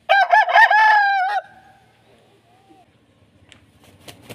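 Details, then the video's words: An Aseel cock crows at once, loud and harmonic, with a choppy opening and a long held ending that stops sharply at about one and a half seconds. Quiet clicks and faint noises follow. "Aseel Rooster Crowing Machine | Rooster Crowing Sound Effect | aseel murga ki aawaz"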